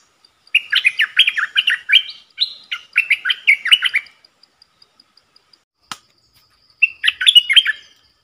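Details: Bulbul decoy birds, four caged callers, deliver a fast string of liquid, warbled notes for about three seconds. A faint steady ticking runs behind them, then a sharp click, then one more short warbled burst.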